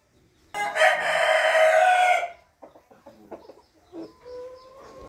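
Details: Rooster recorded on 15 June 2021 giving one loud, harsh, drawn-out crow of about a second and a half, followed by softer low clucks and a brief quieter call.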